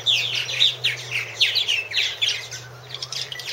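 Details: Nest-house purple martins, 2014 camera recording: quick gurgled chirps repeated several times a second, loud at first and then thinning out near the end, over a faint steady low hum.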